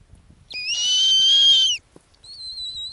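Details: On her Arctic ground nest, a female snowy owl gives a loud, harsh, rasping high call of about a second, followed by a thinner, gently falling whistle.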